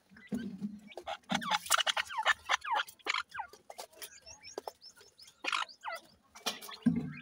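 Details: Grey francolin chicks calling in a busy chorus of high, piercing peeps and quick down-slurred chirps, with short low rumbling sounds near the start and end.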